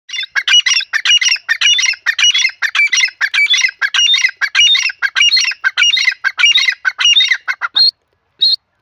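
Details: Francolin calling in a fast, steady run of harsh, squeaky, chattering notes, about one and a half per second for nearly eight seconds, then a brief pause and two short closing notes; no other sounds stand out.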